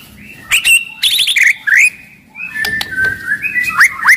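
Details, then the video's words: White-rumped shama with a loud, aggressive voice singing to stir other shamas to sing and fight: short clear whistles, quick twittering notes, and sharp clicks, separated by brief pauses. "MURAI BATU GACOR , CEPAT MERANGSANG BUNYI, GACOR & FIGHTER"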